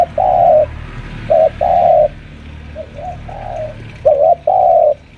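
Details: Senior spotted dove lure bird, around five years old, at home pressing a rival with repeated low, throaty cooing phrases of short and long notes, some softer quavering coos in between, over a quiet low background rumble.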